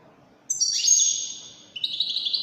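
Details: Wedani-type European goldfinch song: a sharp falling burst stretched into a long buzzy twitter, then a fresh run of quick high trilled notes beginning at the end.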